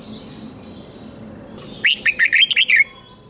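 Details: Caged red-whiskered bulbul singing a doubled-style song, used for teaching young birds to copy: after a quiet start, one loud phrase of about seven quick, sharp whistled notes rising and falling, lasting about one second.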